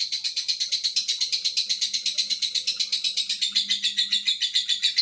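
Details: Unbroken high trill from a lovebird performing its long ngekek, evenly pulsed shrill chatter repeating several times a second throughout, with a faint low hum underneath.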